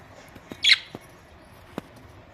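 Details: Pet budgerigars at home, recorded May 24, 2023; one short, raspy squawk with a few sharp clicks and taps around it in an otherwise quiet room.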